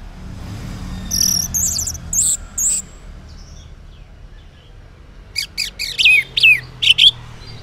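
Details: Orange-headed thrush morning song meant to draw replies from silent males: a few high slurred notes, a pause, then a run of sharp descending whistled notes and chirps.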